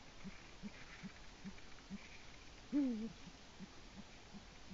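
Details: A male Eurasian eagle-owl at its nest in Latvia, at 6:22 am on 5 March 2018, calling for his mate while doing nest work. He gives one deep, short hooting note with a slight downward bend, over faint steady ticking and soft hiss.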